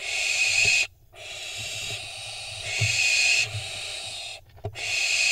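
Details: Nest-camera recording from Israel, 25 June 2021: barn owl fledglings jockeying for position before a prey drop give drawn-out harsh hissing screeches, one running over two seconds, with brief gaps and soft low thumps beneath.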